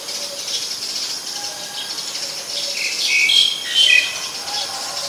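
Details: In Ubon Ratchathani, Thailand, on 10 February 2023, a Black-collared Starling gives a few clear, piercing whistles and rasping notes near the end, against a constant insect buzz.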